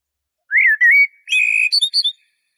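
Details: Eurasian blackbird singing: a short phrase of clear, fluting whistles around a mid-high pitch, then a sustained warbled note ending in higher twittered flourishes, heard against a quiet background.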